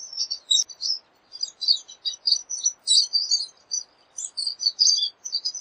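A pine siskin's high, rambling twitter of quick chips, trills and buzzy notes, running almost without pause in a steady jumble.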